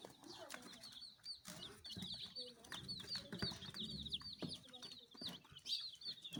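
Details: A group of baby chickens peeping almost continuously, rapid high chirps crowding together in a busy chatter, with a few sharp clicks and low murmuring background noise.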